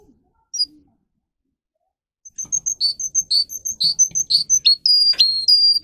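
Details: Russian canary bred for singing, played for teaching young birds: after a quiet start, rapid repeated high piping notes mixed with chirps build into a steady rolling series, ending in long sliding whistles with faint rustling underneath.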